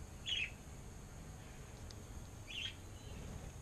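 Rainbow lorikeet giving two brief, harsh, high screechy notes about two seconds apart, over a steady low rumble of background noise.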